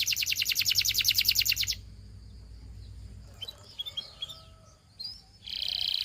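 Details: Canary singing practice for training: a loud, pulsing, high trill for under two seconds, a quiet gap with faint scattered chirps, then another dense trill starting at the end.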